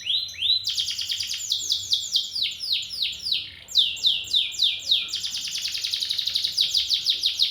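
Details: Song of a champion canary: varied rolling trills and rapid runs of high notes, several descending sweeps, then a fast rattling trill that carries on to the end. There is no background noise.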